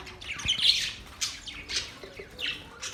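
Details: Budgies giving a series of harsh, rasping squawks and chirps, spaced about half a second apart, with softer chatter between them.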